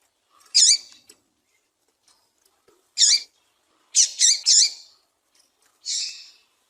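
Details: Female double-collared seedeater calling to get a male singing: loud, high, wavering chirps given singly and then in a quick pair, with pauses of one to three seconds between them.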